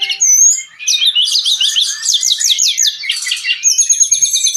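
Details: Brown-chested jungle flycatcher singing nonstop in the gacor style, used as a tutor recording for cage birds: dense, fast, high-pitched warbling of slurred whistles and chattery notes, with a few clear sustained whistles near the end.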